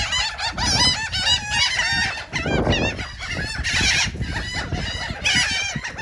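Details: Gulls eating cake in Atlantic City, New Jersey, giving a rapid jumble of loud, harsh, nasal calls from several birds at once, with rustling and low background noise.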